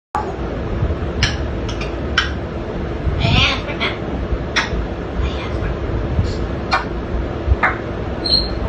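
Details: An African grey parrot talks in Telugu in short, word-like bursts mixed with sharp clicks and brief whistles, over a steady low indoor hum.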